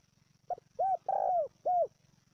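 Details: Spotted dove calling to rouse and train a decoy bird: one brief soft note followed by three mellow rising-falling coos, the central coo drawn out, over a low steady background hum.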